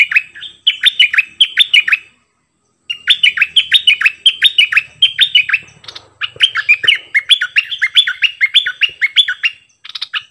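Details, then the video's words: Doubled 'phleng boen' song of a cream-vented bulbul, recorded 18 June 2021: long runs of rapid, bouncy whistled notes repeated in tight phrases, broken by one brief gap, with faint rustles in the background. "เสียงนกดอกแตงEp.59 Birds sounds เพลงเบิ้ลของเจ้าเพชร!!Merbah lekir gacor"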